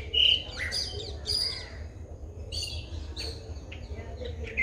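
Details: White-bellied drongo from Sri Lanka, recorded on a Nikon COOLPIX P1000: a loud clear whistle opening into scattered squeaky chirps and buzzy notes, with a continuous low hum beneath.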